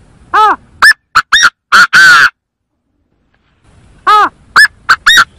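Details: Chinese francolin calling on a bird-trapping lure recording: a loud, harsh phrase of five or six clipped, arched notes ending in a grating longer note, then after a pause the phrase starts again.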